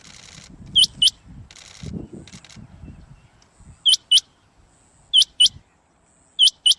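Rain quail giving sharp, high whistled notes in quick doubled pairs, repeated about every one to one and a half seconds, over faint low rumbling.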